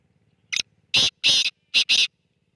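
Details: Black francolin giving its harsh call: a short scratchy note, then two loud grating notes, a brief pause, and two more rasping notes, five in under two seconds against near silence.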